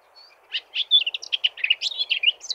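Eurasian blackcap singing a fast, rich run of warbled notes, scratchy chatter mixed with clear fluty whistles, rising toward the end over a soft background hum.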